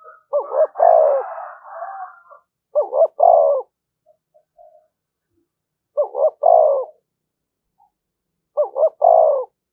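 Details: Spotted dove call used to stir up rival doves, a low hooting phrase of two quick coos and a longer descending croo, repeated four times at roughly three-second intervals, with a brief higher droning call overlapping the first.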